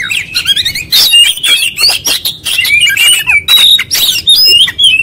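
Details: Oriental magpie-robin singing nonstop through its full repertoire: quick sequences of bright whistles, clicks and harsh notes, phrases separated by very short breaks.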